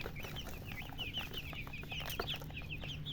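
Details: Baby chicks peeping, clear short high chirps repeated several times a second, with small clicks and a steady low hum.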